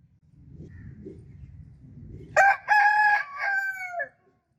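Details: A cockerel crows once after a stretch of low rumbling noise: a sharp onset, a long steady middle and a falling, fading tail.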